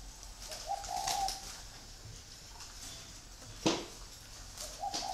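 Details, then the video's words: Free-range spotted doves kept for breeding in Vietnam coo in two gentle, low phrases, with a loud click midway and steady background hiss. "chim cu gáy nuôi sinh sản thả rông"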